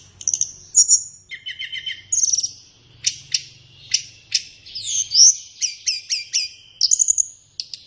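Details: Flowerpecker master song, played to captive birds in morning or afternoon to get them singing: high tinny chips, ticking trills and brief piercing whistled notes, spaced in quick repeated groups.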